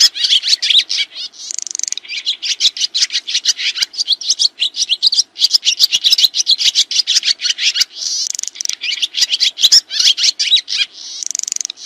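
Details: Swiftlets give dense, rapid high chirps and twitters, clustered and overlapping in quick bursts with almost no pause; used as a master recording for training other songbirds.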